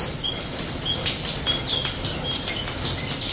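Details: Canary singing on a rainy day: short, thin, high whistled notes and brief chirps come in loose, uneven bursts, partly masked by the steady hiss and patter of heavy rain.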